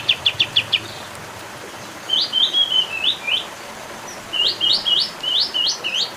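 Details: Olive-winged bulbul: a quick run of high chips, then groups of sharp slurred whistles that sweep upward and downward. The phrases come in bursts separated by brief pauses.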